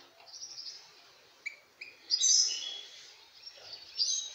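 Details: An excited male European serin sings to a female goldfinch: a fast, jingling, buzzy stream of high, glassy trills and short chirps, with brief pauses between bursts.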